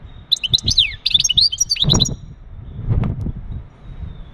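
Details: Male European goldfinch giving mating calls meant to stimulate a female for breeding: a quick burst of high twittering and liquid slurred notes over about a second, then low background rumble and knocks.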